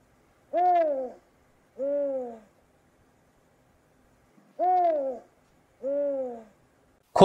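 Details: Spotted eagle-owl from Southern Africa giving two pairs of soft, low hoots, each pair a slightly rising then falling note followed by a lower one, about three seconds apart.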